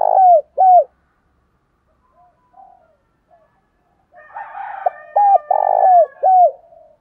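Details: Spotted doves, male and female, calling to train and excite decoy birds. Two loud, low, hooked coos, a few faint notes, then a dense, rich burst of overlapping coos with brighter harmonic tones, repeated roughly twice per second.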